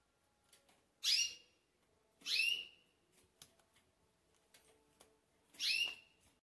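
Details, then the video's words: Close recording of a green pintagol before it sleeps: three clipped, bright whistle notes with a quick downward slide into a steady tone, spaced irregularly, faint soft ticks in the quiet between. "GRAVANDO PINTAGOL ANTES DELES DORMIR"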